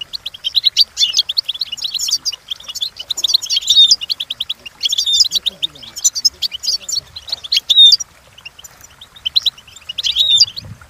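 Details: Goldfinch singing, as used to train goldfinches to learn songs: loud, fast runs of high metallic chirps and trills with occasional whistled notes, pausing briefly before a final burst.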